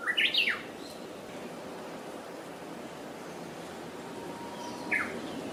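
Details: Japanese bush warbler hokekyo song, opening with a bright warbled phrase of quick rising and falling notes, then a long quiet gap and one short note near the end, against a low steady outdoor hiss.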